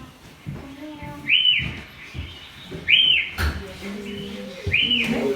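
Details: A White-crested Elaenia at the Río Juancho wetland, Estaquilla, Chile, 2024, gives a clear, slurred whistle that rises then falls, repeated about every one and a half seconds, over low background rumble and faint voices.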